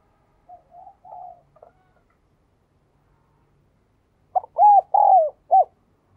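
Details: Soft, distant-sounding spotted dove coos early on, followed by one loud, clear four-note phrase of hooting coos, the third longest and falling at its end.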